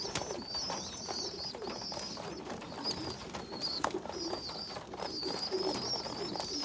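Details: Young pigeons during feeding by a small, weak youngster; broken phrases of high wavering squeaks separated by short gaps, with sharp clicks and taps.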